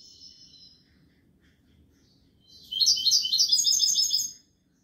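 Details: Goldfinch song in the kubiya malqa style: a faint tail of a note, a pause, then a bright, fast burst of jangling high twitters lasting about a second and a half.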